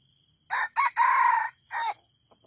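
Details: Red junglefowl kept as a decoy bird for trapping, crowing loudly: two short opening notes, a long drawn-out middle note, then a short final note, over a steady high insect drone.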